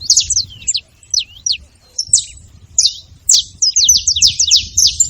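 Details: Saffron finch at a feeding spot, giving broken phrases of high, zigzagging chirps separated by pauses, ending in a rapid, dense run of repeated falling notes.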